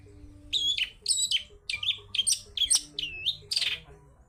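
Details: Cendet pilis, a long-tailed shrike, singing wild-style for a lure: paired squeaky warbled notes in short bursts roughly every half second, one drawn-out dipping whistle near the end, faint hum beneath.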